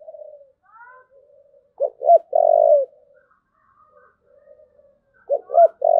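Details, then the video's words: Cooing of a spotted dove in the "thúc gù" style: soft low murmurs, then two brief notes and a long, loud, steady coo, with the pattern starting again near the end. "cu gáy thúc gù"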